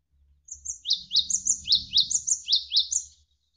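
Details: Javan sparrow giving an energetic song, set against running water as tutor material for songbirds: about ten high, sharply falling chirps in a steady rhythm, each paired with a thinner higher note.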